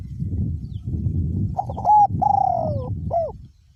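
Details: Caged decoy spotted dove with a small-to-medium voice. After a stretch of wind noise it sings one phrase: short opening notes, a long falling coo, and a curved final note.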